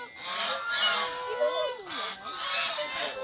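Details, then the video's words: Harsh nasal honking from angry wild geese, several calling together; loud braying notes with swooping, wavering pitch that rises and falls, repeated without pause for over three seconds. "Angry Ganza Birds ~ Wild Geese"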